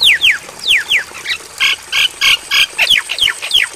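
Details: Javan myna song meant to be copied by caged mynas during night playback: quick downslurred whistles, a block of loud harsh squawks repeated evenly, then more falling whistled notes.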